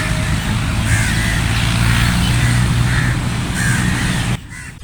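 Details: Crows in a flock give scattered hoarse caws over a loud low engine-like drone, which cuts off abruptly just before the end and leaves quieter background sound.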